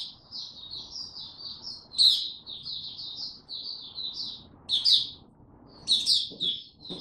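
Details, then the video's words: Young caged white-eye, called a Dagger bird by its owner, Singapore, 9 February 2022, song still developing: continuous high twittering warble broken by three sharp, louder chip bursts, with faint low background hum. "Mata Puteh Dagger Video 1 buka sing tiong aw studying his progress n maturing"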